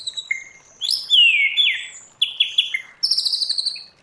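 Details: White-rumped shama with a wild-type song for training birds: brief whistles, a loud slurred descending phrase, stuttered notes, then a fast high-pitched rattling trill.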